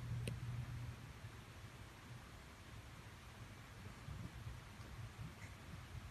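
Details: Steady broadband noise with a low rumble, like wind or distant traffic, and no clear animal voice.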